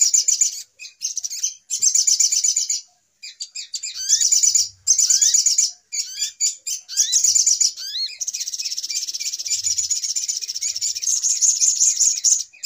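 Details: Little spiderhunter noisy lure calls for trapping: choppy bursts of shrill chittering separated by silences, with rising slurred whistles, then a long continuous trill at the end.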